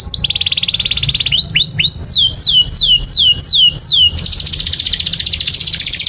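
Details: Long canary song used to tutor young canaries: opens with a dense buzzy trill, then upturned chirps, a row of loud sweeping falling whistles, and finally a rapid high rolling trill lasting about two seconds.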